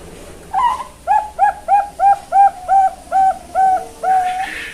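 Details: Young zebra dove, a talented chick kept at a farm in Kebumen, Central Java, Indonesia, giving a rapid run of about ten short even coos, closing with two longer held notes.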